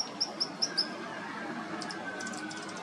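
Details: White-eared Hummingbird perched, preening and singing, 22 October 2019: four sharp, high tinking chips in quick succession, about five per second, then faint high ticks over a soft background hiss.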